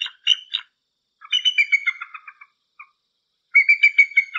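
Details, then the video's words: Bald eagle giving high, thin chattering calls: three bursts of rapid, piping, slightly down-slurred notes, each burst a quick stuttering series of about eight to ten notes, separated by short silences, with a clean, quiet background. "Орлан білоголовий (cпецвипуск) [Haliaeetus leucocephalus] - рідкісні співи птахів!"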